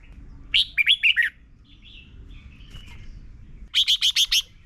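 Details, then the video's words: Red-whiskered bulbul from Thailand, song played for young birds to learn: a bubbly five-note whistled phrase, quiet soft warbles, then a rapid burst of five sharp repeated notes. "นกกรงหัวจุก - 30 นาทีทุกเช้า เพื่อให้นกเรียนรู้ที่จะพูดได้อย่างรวดเร็วและหนักแน่น"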